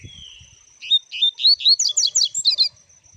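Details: Double-collared seedeater song: a brisk series of about a dozen high, sweet chirped notes over roughly two seconds, speeding slightly and rising toward the end, with a steady high electronic whine underneath.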